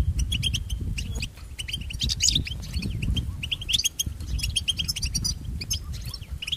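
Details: European goldfinch song used for training pet goldfinches: rapid, high, tinkling twitters and short chirps in quick succession over a heavy low rumble.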